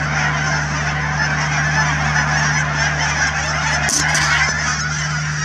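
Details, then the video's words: Thousands of Canada geese at the Cheam Wetlands near Chilliwack, British Columbia, honking nonstop in a dense, overlapping chorus, with a steady low hum beneath and one sharp knock near the four-second mark. "Canada Geese at Cheam Wetlands"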